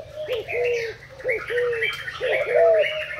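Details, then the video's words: Thai-line spotted dove used as a decoy, recorded 10 April 2018, giving soft, hollow cooing phrases about every second, overlapped by busy higher chirping from other small birds and a steady low background hum. "Cu gáy mồi úp thailand"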